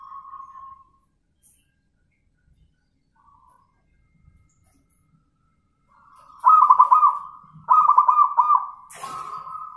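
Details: Zebra dove (perkutut) giving its manggung cooing in reply to a lure bird: a soft coo at first, then after a quiet spell rapid rolling, vibrating coos in bursts, ending in a steadier held coo with a sharp click.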